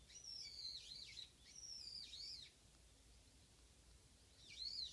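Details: A lone warbling white-eye, in a year when it visits the yard singly rather than as a pair, gives thin, very high twittering phrases that rise and fall quickly, three bursts about a second long, over soft hiss.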